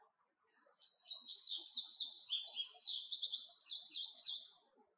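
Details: Indigo bunting song: a clear, high series of paired and varied sweet notes, jumbled and rapid, about four seconds long, sung on a quiet background.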